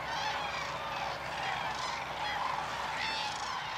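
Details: Common cranes at Hornborgasjön, Västergötland, Sweden, in April 2009, gathered for the crane dance. Many overlapping trumpeting calls blend into a steady, dense chorus.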